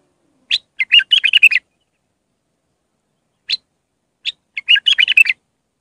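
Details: Raw Iraqi bulbul song of the Mandali style, meant for training chicks: two bubbly, rapid phrases of clustered chirping notes, separated by a pause broken by two single clear chirps.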